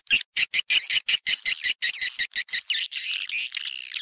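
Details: Swiftlets in a lure recording meant to bring them into a house to build nests. Quick, separate chirps repeat almost twice a second, then run together into a wavering, trilled twitter.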